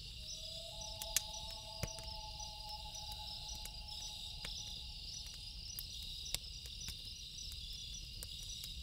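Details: Loons calling at night beside a crackling campfire: two long, steady, pure tones held together for several seconds, then one fades. Dense cricket chirring and sharp fire pops fill the background.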